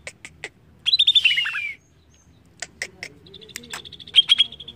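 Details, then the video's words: Greater green leafbird song used to prompt other birds to sing: sharp high chips, a quick trill sliding downward, then more chips and a rapid run of high, bright notes. "Cucak ijo langsung bunyi dengar ini!!"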